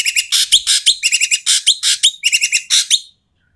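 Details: Harsh, noisy Asian pied starling calls meant to provoke quiet starlings into song: continuous rapid grating rasps alternating with short sharp whistles, dense and uneven, over about three seconds before stopping.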